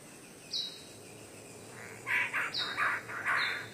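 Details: Male king bird-of-paradise in Papua attracting a female: a pair of high falling whistles, then a run of loud, harsh broadband notes in quick succession, over steady forest background noise.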